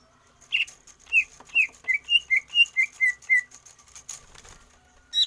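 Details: Greater green leafbird trained for stamina without outdoor sessions: a steady run of about ten clear whistled notes, gently falling in pitch, followed by rustling.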